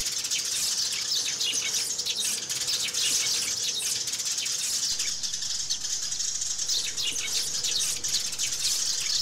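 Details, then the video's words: Several sparrows calling and fighting together: a continuous chorus of sharp, high chirps and twitters running without pause throughout. "Tiếng Chim Sẻ Gọi Về Và Nhảy - Tiếng Sẻ Cắn Nhau"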